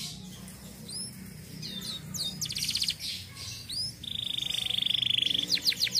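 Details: Canary song meant to stir silent canaries into singing: scattered high chirps and upslurred notes over a faint low hum, then a long, steady, level rolled trill followed by a quick burst of sharp notes.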